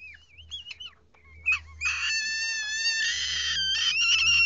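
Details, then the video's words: Baby lesser sulphur-crested cockatoo being hand-fed with a simple syringe gives a few thin wavering whistles, then harsh rasping begging squawks building into a continuous grating screech; a low hum underlies it. "Feeding Baby Lesser Cockatoo"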